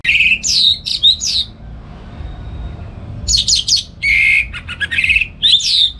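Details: Morning song of an orange-headed thrush (anis merah) kept at home and used for training other songbirds; loud bursts of rapid whistles, slurred and varied, repeated in several phrases with short pauses.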